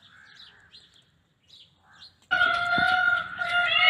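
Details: Peafowl giving a loud, sustained, nasal call with a rich stack of steady tones, which starts abruptly after a quiet stretch of faint small-bird chirping.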